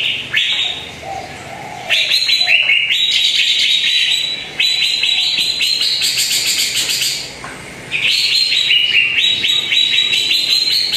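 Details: Lure song of a greater green leafbird for coaxing a silent bird into voice: bursts of fast, bright chirping phrases, stepped up and down in pitch, separated by brief pauses, with a soft low warble early on.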